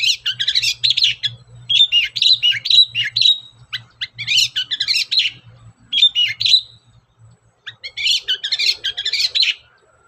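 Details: Long-tailed shrike in energetic song, recorded as a lure to spur other shrikes: long, busy passages of chattering and twittering high notes in phrases of a second or more, briefly broken by gaps.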